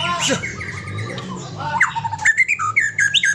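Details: White-rumped shama of the Aceh type producing flat whistled notes and scratchy chatter, building into a string of short, loud whistled phrases toward the end, over a low hum.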